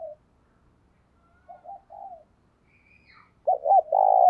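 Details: Spotted dove kept as a decoy, cooing to lure wild doves, with thúc and gáy calling styles: soft, low broken coos, then a loud burst of three rounded coos ending in a longer drawn coo; quiet background.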